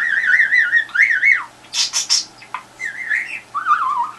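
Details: Pet budgie addressing a telephone, trying to prompt a reply: wavering whistled tones that trill up and down, then a burst of harsh scratchy notes, followed by more warbled whistles.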